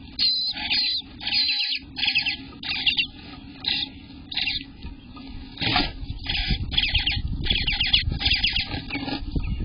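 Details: Eastern bluebird nestlings, day 18, in the nest in June 2021: rapid high buzzy calls in repeated bursts, with rustling and low rumbling movement noise growing louder in the second half.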